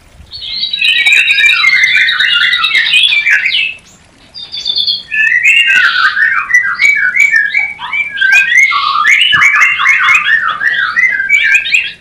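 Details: White-rumped shama mating call, meant to excite new pairs not yet breeding: a long, dense outpouring of rapid whistled and chattering notes, broken by one short pause, then a fast repeated run of sweeping phrases.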